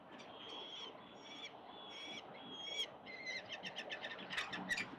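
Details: Wild peregrine falcon at a city-building nest, the mother arriving with another breakfast on 10 October 2022: drawn-out harsh, harmonic wailing calls, then a quickening run of short chattering notes toward the end.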